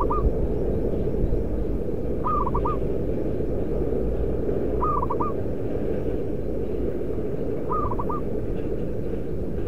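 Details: A loud local zebra dove used as a lure bird repeats short stuttering coo phrases about every two and a half seconds, four phrases in all, against a continuous low rumble.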